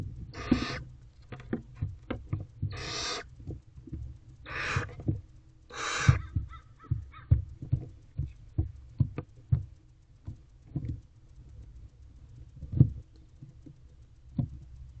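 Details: Barn owl owlets squabbling over a claimed mouse inside a nest box, late morning in April: four rasping, breathy screeches in the first six seconds, then a long stretch of scratching, tapping and shuffling in the box.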